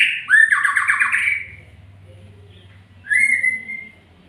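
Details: Magpie-robin singing a rapid rattling trill after a sharp upward whistle, then a long pause and a single slurred whistled note, over a steady low hum.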